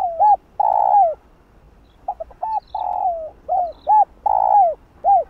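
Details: Spotted dove coos played to rouse other doves. Repeated phrases of short arched notes around a long, loud, falling coo, with a second, softer voice weaving in level drawn-out notes between them.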